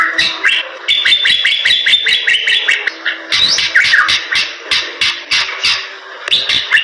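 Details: Gacor-style Bali myna song: dense strings of high whistles and chattering notes, broken by repeated dry clicks, with a short pause near three seconds before louder slurred whistles resume.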